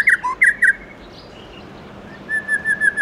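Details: White-rumped shama, forest-voice morning song: three sharp doubled chirps, a lower note, a near-silent pause, then a quick repeated series of short whistled notes.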